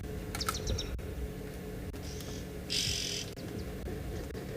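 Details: Oxpeckers give a harsh, hissing buzz and a few thin high chirps beside two feeding giraffes. This was a morning safari, 28 September 2021, on a South African game reserve, with other birds such as a gray-headed bushshrike calling and a steady low rumble.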